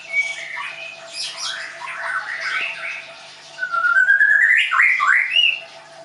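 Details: Caged Leuser-type white-rumped shama in Tangerang, Indonesia, giving muted warbling phrases, then a loud sweet whistle that climbs steadily, followed by quick looping slurred notes.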